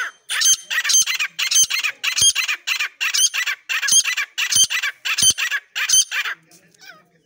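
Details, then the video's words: A partridge (Irani teetar) gives loud, harsh, scratchy calls, about ten in a steady series at roughly one every two-thirds of a second, then stops. "Irani teetar sound"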